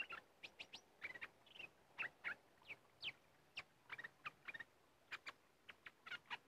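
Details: Red-whiskered bulbuls, described as especially aggressive in this area, calling during decoy luring: a quick series of short, bright chirps and sharp up-and-down notes, sometimes in clusters of two or three, over a quiet background.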